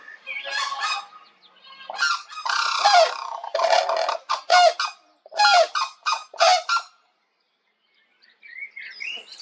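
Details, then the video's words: A White-naped Crane pair gives its unison call, an aggressive wake-up and warning call that strengthens the pair bond, male starting with a deeper voice, here triggered by an approaching person: loud harsh trumpeting bursts about once a second for seven seconds. "The unsion-call of White-naped Cranes"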